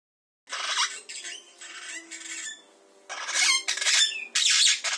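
Long-tailed glossy starling giving harsh, grating squawks in bursts of about a second, with twangy downslurred notes and a faint low hum underneath.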